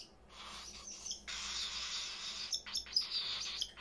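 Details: Parrots kept indoors in a house full of them, giving harsh, broadband screeching calls that run for over a second, followed by short sharp chirps and squeaks near the end.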